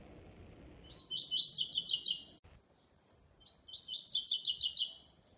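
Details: In a singing show, a double-collared seedeater repeats its special song twice: quick, ringing, high twitters rising slightly at the start of each phrase, the second following about a second after the first ends.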